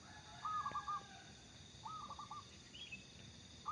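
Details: A local zebra dove in strong song gives short rolling, trilled coos, one after another with a pause between, against a constant high electronic hiss.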